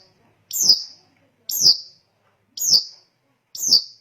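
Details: Long-tailed shrike voice meant to provoke other shrikes: four identical sharp, high, downslurred notes, one each second, with silence between.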